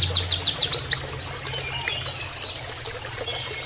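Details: Oriental white-eye giving a brief canary-style training song with water flowing in the background: a quick burst of high, clipped notes, a pause, then a couple of sharp up-and-down whistles.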